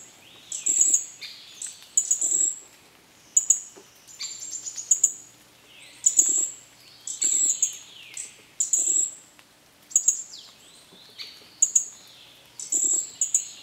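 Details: Green-backed flowerpecker calling repeatedly: bright, very high ticking bursts about every second or two, interleaved with sliding downward whistles and faint low thumps.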